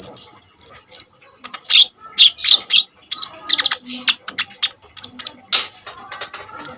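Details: Common iora delivering fierce rapid-fire song, recorded as a lure and tutor for kolibri ninja birds: dense high chattering with scattered whistled notes and sharp chips, quieter at the start and busier later.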